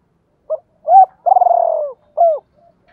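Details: One full phrase from a captive decoy spotted dove in the double-voice style: a short note, a swelling coo, a long purring trill that slides down, and a final falling coo.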